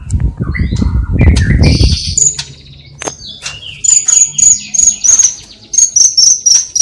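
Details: Cililin white-rumped shama singing with copied sparrow, fighting lovebird and kapas tembak calls: mixed harsh notes and rustling at first, then a steady run of high, piercing chirps repeated about three times a second.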